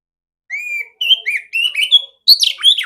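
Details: Female oriental magpie-robin with a big, clear voice, played as training for other magpie-robins. Four separate clear whistled phrases: a long steady note, then a rising slurred whistle and repeated warbling notes, ending in a richer burst.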